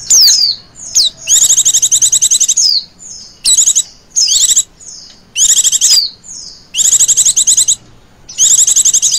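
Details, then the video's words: Lure call of a female Oriental white-eye, played to attract birds: long, loud, rapid chattering trills at high pitch, lasting up to about a second each, broken by quick descending whistled notes and short silences. "pancingan pleci betina ngecirrr"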